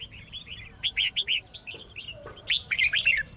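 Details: Red-whiskered bulbul singing to provoke rivals, bright warbled phrases of short rising and falling whistles, sliding notes and chattering bursts in quick series, with a faint steady high hiss behind.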